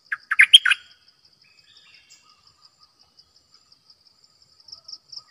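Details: Bulbul kept as a decoy bird opens with a quick phrase of five loud, liquid chirps, followed by quiet and faint high-pitched ticking.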